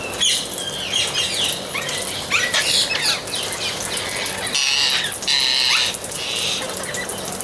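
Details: Amazon parrots giving loud, rasping screeches and shorter squawks, several calls overlapping, with two long harsh screams near the second half.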